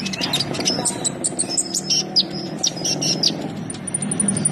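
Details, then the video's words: Konin, the brown-throated sunbird, in energetic 'gacor' song: quick runs of high, thin ticking chirps, ending in a steady series of very high pips, over a steady low rumbling background. "KONIN SUPER GACOR"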